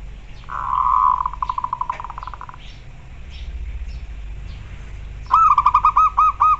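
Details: Local zebra dove calling, used as a recording for training other doves and raising their breeding urge: a long, rapidly trilled note, then a quick stuttering series of bright, clear notes, over low rumbling background noise.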